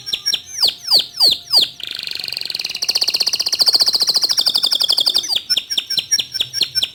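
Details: Local white canary singing: a run of sharp, repeated downward-sweeping whistled notes, then a fast, bright buzzing trill lasting about three seconds, ending with more crisp sweeping notes. Recorded indoors.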